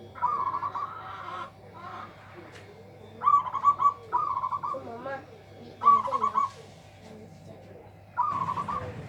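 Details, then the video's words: Local zebra dove singing loudly to overpower rivals: a series of short, rapidly trilled cooing phrases, each about half a second long, repeated every one to two seconds amid softer calls from other birds and faint voices. "PERKUTUT LOKAL SUARA BESAR BIKIN LAWAN TAK BERKUTIK"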